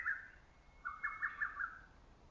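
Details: One lesser cuckoo phrase from forest in early summer, slightly distant and softer: a brief opening note, a pause, then a run of quick clipped whistles on a steady low pitch, lasting about a second.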